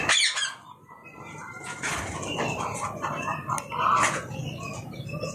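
Budgerigars chatter with bright, scratchy chirps and warbles over a busy aviary background.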